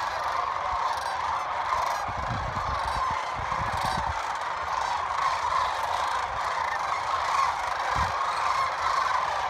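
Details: Many sandhill cranes arriving in the evening over the Platte River in Nebraska, their rolling trumpet calls merging into a continuous chorus, with bursts of low wind rumble around the second and fourth seconds.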